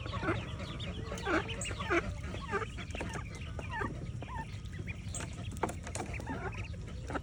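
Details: Morning swim of mallard ducklings with their mother: busy, overlapping high peeps and chirps, roughly a hundred a minute at an uneven pace, with a low rumbling background throughout.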